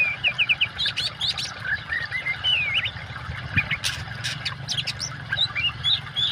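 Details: Oriental magpie-robin song mixed with flowing water: quick whistled slurs and chirps, some sharp clicking notes, in a continuous busy stream over a low watery rumble.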